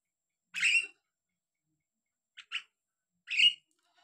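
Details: Javan myna song: three short, harsh, squawky bursts, the first and last longest, with a quick double note between them and silence in the gaps.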